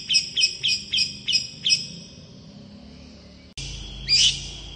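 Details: Song of a long-tailed shrike, delivered fast to draw an answer from rival shrikes: six quick, bright high notes in a burst, a short pause, then one louder, squeaky note after a cut.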